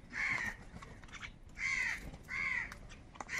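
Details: Crows quarrelling over food call with coarse, nasal caws, four evenly spaced calls over a few seconds against a quiet background.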